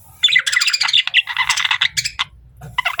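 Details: Budgerigar (parakeet) chirping softly: a rapid, dense warble of short bright chirps and squeaks, nearly continuous for about two seconds, then a brief pause and a few more chattering notes at the end.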